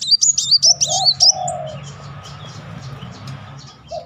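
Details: Van Hasselt's sunbird, rapid 'nembak beruntun' lure song: a brief run of high, sharp, swooping notes, a lower smooth cooing note, then a quiet hum with faint ticks.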